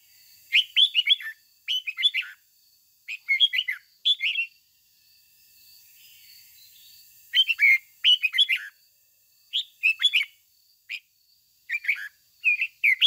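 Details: Lure red-whiskered bulbul giving a 'ché' style morning song to stir wild-caught and home birds into singing. Short warbled phrases of quick liquid notes repeat every second or two, with one longer gap mid-recording and a thin background hum.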